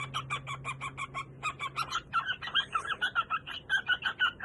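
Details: A male pet cockatiel sings a quick run of scratchy chirps, about five a second, that breaks into a looser, warbling string of whistled notes, with a faint low hum underneath.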